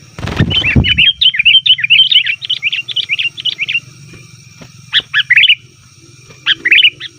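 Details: Lure recording of a sooty-headed bulbul calling noisily ('ribut') to attract wild birds: a brief thump opens, then a rapid run of bubbly, warbled chirps, later clustered bursts, over a constant low hum.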